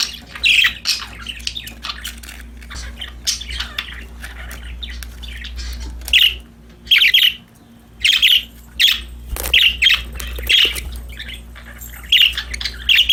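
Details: Several happy budgerigars chirping while playing: sharp, squawky chirps in bursts, some in quick pairs, spaced roughly every one to two seconds over a soft, steady low hum.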